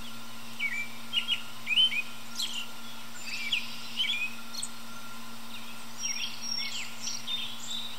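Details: An American robin perched high in a tree sings in the early evening, giving a series of soft, broken warbled phrases with brief pauses between them against constant low-pitched hum.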